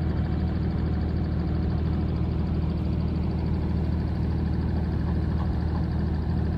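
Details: Steady low rumble of an idling engine throughout, with no animal sound heard.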